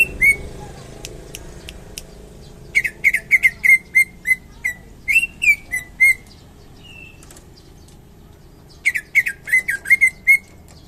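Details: Greater green leafbird from Indonesia, called a champion, singing a long varied song of sharp clicks and rapid whistled notes, some slurred and rising, in several energetic bursts with brief pauses.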